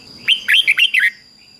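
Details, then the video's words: Caged Red-whiskered bulbul giving a Thai 'beun' doubled song of fik-jik-fok syllables, meant for young birds to copy: one quick phrase of about six bright, warbled notes that rise and fall, lasting under a second, over a steady faint high tone. "นกเบิ้ลอาชีพง่ายๆ ฟิก-จิก-ฟก ล้วนๆ"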